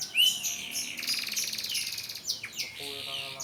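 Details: AF canary learning song after its moult, heard more softly: a rising whistled note, a faint rolling buzz, and a few thin chirps over a light background hiss.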